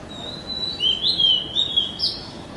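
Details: Black-naped oriole feeding its chicks: a drawn-out, thin, high wheezy note held steady with slight wavers, then a brief higher rising squeak near the end, faint low background rumble.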